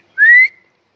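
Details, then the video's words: Pet Kashmiri ringneck parakeet giving a single clear, slightly rising whistle lasting about a third of a second in a quiet room. "Ringneck Kashmiri Parakeet"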